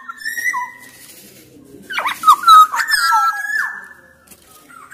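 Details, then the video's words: Loud black-naped oriole song from a bird of Sumbawa origin, meant to prompt other orioles to sing: a short whistle and a falling note, a pause, then a burst of mellow slurred whistles ending in a long fading tone. "KICAUAN KEPODANG EMAS GACOR SUARA KERAS"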